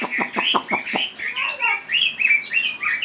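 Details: Chinese hwamei giving a quick series of short repeated notes, then bright slurred whistles and chattering phrases.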